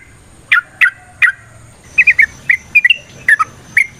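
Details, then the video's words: Straw-headed bulbul, a kept songbird, singing spaced loud bubbling notes, three sharp descending notes then a quicker run of warbled syllables over a quiet background. "Suara Burung TRUCUKAN gacor ROPEL VARIASI NROTOK NGECUPLIK pancingan trucukan agar JADI trucuk GACOR"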